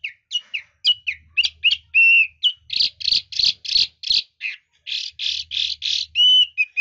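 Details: Varied voice-switching song of a Chinese hwamei: quick whistled chirps, then a series of harsh buzzy notes and clear pure whistles, all delivered rapidly and loudly.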